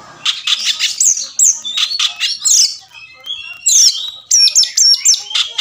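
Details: Oriental magpie-robin singing, a recording meant to trigger fighting response and tail-opening in a silent young caged bird: fast clusters of very high whistles, sweeping slurs and harsh chattering notes, delivered in energetic repeated bursts.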